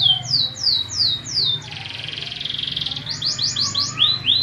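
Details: Fighting canary training song: sweeping upward whistles, then a long dense buzzy trill, then a quick run of rising notes, with a faint low rumble behind.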